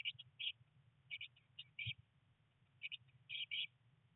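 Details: Eurasian blue tit nestlings, three chicks on their 19th day in the nest box amid rain and first flight attempts, utter short scattered clusters of high chirps separated by pauses over a faint low rumble.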